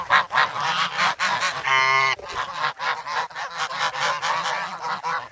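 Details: Hungry young adult geese in the snow at Sloterpark, Amsterdam, February 3, crowding a person carrying bread. Dense overlapping nasal honks, with one long buzzy harmonic-rich call near the middle; camera recording.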